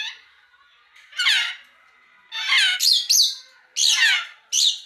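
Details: Grey parrot uttering rough, grating squawks and sharp whistled upslurs in irregular bursts, some doubled, spaced by brief silences.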